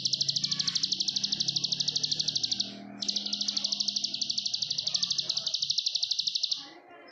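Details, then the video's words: Plain prinia (ciblek sawah) in Indonesia singing nonstop in the "ngebren" style: a rapid, buzzy trill of evenly repeated high ticks lasting about two and a half seconds, a brief pause, then a longer burst of about three and a half seconds over a low murmur. "Kicauan Ciblek Sawah Ngebren NONSTOP!"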